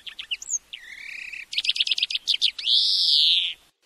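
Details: Tutoring song of a European greenfinch for teaching birds to sing. Quick chirps lead into a drawn-out descending whistle, then a fast rattling trill, and end in a long, loud, wheezy buzzing note that swells and fades.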